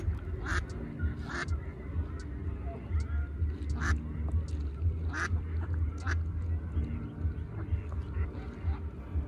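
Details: Mallards, two adult females accompanying ducklings: a run of brief, rasping quacks at irregular intervals, some close together in pairs, over constant low wind rumble throughout.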